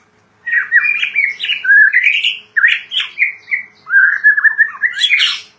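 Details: White-rumped shama kept as a songbird, in full varied song: fluting, slurred whistled phrases rising and falling, mixed with brief chattering notes and a final high, scratchy flourish.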